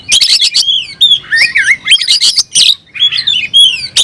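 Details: Oriental magpie-robin in song, seeking a rival: rapid clicks, then rich sliding whistles and scratchy notes in loud, dense phrases separated by short gaps.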